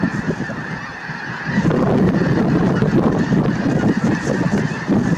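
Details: Snow geese at Merced National Wildlife Refuge on 22 January 2023: a dense, continuous chorus of honking from a large flock, swelling louder after the first second and a half, with a low background rumble.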